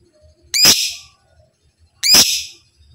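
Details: Kept lovebird in a recording meant to teach other lovebirds to sing: two strident, grating shrieks, each about half a second long, spaced 1.5 seconds apart, with faint low rustling in the background.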